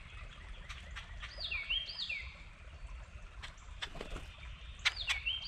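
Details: Territorial red-bellied woodpecker calling in paired falling slurs, a pause, then another pair, among brief clicks and tapping sounds.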